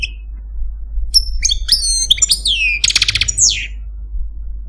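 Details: Algerian Parva goldfinch, a caged pet male, sings clear whistled slurs and liquid twitters, then a quick buzzy trill and a descending drawn-out whistle like pi-peeew, over low hum.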